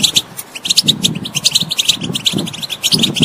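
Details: European goldfinch giving spaced, sharp chirps and short twittered phrases at a high pitch, set over intermittent low rumbling background noise.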